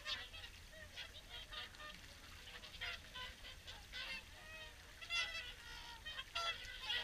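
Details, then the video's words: Crowd of swans during the evening feed at WWT Caerlaverock, repeated harmonic honks about every second, growing louder and more insistent near the end. "Evening Swan Feed"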